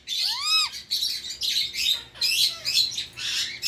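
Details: A pet Indian ringneck parakeet opens with a clear arched screech, then follows with a run of harsh, buzzy squawks repeated roughly every half second.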